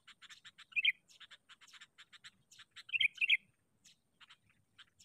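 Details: Sooty-headed bulbul kept as a decoy for trapping wild bulbuls. Bright, slurred notes come in short bursts near the start and middle, set among rapid sharp ticking chips repeated through the clip.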